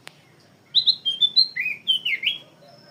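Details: Black-crested bulbul song phrase carrying magpie-robin elements: a short string of slurred, clear whistles dipping and rising in pitch, about ten notes in under two seconds, with a faint click at the start.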